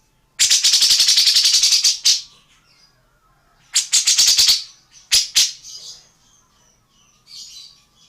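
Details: Tengkek buto or cucak jenggot, an Indonesian bird whose voice serves as a training model for other songbirds, gives a long harsh chattering rattle, pauses, then shorter bursts of buzzy pulses and a few sharp notes, with soft high chirps between.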